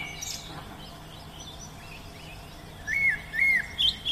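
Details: Oriental magpie-robin in the wild. After a quiet stretch of faint background, it gives three arched, whistled notes in quick succession near the end.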